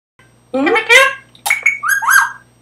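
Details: Male rose-ringed parakeet about 10 years old, chatting with his owner and saying words like "hi" and "peekaboo", mimics speech in two quick, nasal phrases, the first rising and harmonic, the second clipped and whistly, over a faint hum.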